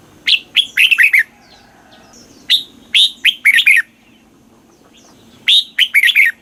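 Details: Caged red-whiskered bulbul song, southern master-phrase style used to stimulate and train birds in Thailand: bright whistled phrases of several quick falling notes, separated by pauses of one to two seconds, with soft distant chirps between.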